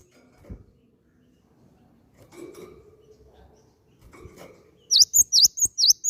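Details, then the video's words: Lure call of the cinereous tit for making other birds sing: quiet room murmurs and taps, then an abrupt fast series of six high, sharp, V-shaped chirps. "PANCINGAN BUNYI BURUNG GELATIK BATU"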